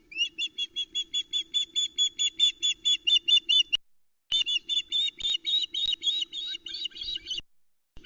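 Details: Hungry wild osprey family at a nest in the Arkaig Community Forest, Loch Arkaig, mobbing the arriving male as he brings a small whole trout, the third fish of the day, on the evening of 7 July 2020, picked up by the nest camera. Rapid, high, sharp chirping calls run in a steady stream, about two per second, with one short pause.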